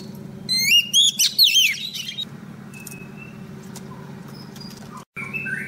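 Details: Female Oriental magpie-robin singing to call a male, recording used as a trapping lure: a brief run of loud, looping whistles, then only faint distant notes over a steady low hum.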